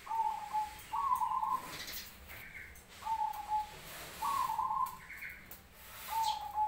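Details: Black Cemani-type zebra dove singing in answer to other zebra doves: clear, rolling, trilled coo phrases at a steady mid pitch, repeated about every one and a half seconds, with faint background noise.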